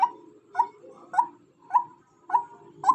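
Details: Female white-breasted waterhen uttering six clipped, nasal notes in a fairly even rhythm, about one every half second, over a soft low rumble.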